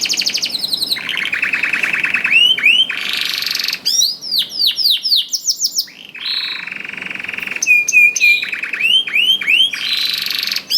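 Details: Long canary song phrase meant to spur other canaries to sing: buzzy low trills, bursts of bright rising sweeps, a held whistled tone, and repeated fast rolls alternating across the phrase.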